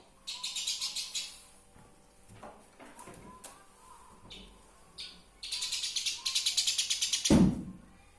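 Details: Eurasian tree sparrow recorded as a master sound for training songbirds: bursts of rapid, harsh, high chirps in quick trains, with a quieter stretch midway and a dull low thump near the end.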